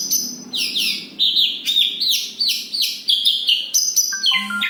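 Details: Javan bush lark singing actively in a close rolling style in Kediri: tumbling, descending whistles and crisp high chirps in quick succession, finishing with a few lower, steady tonal notes.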